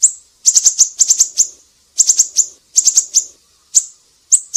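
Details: Siri-siri song for tutoring songbirds: bursts of four to six rapid, piercing high chips separated by pauses of about half a second, then scattered single notes.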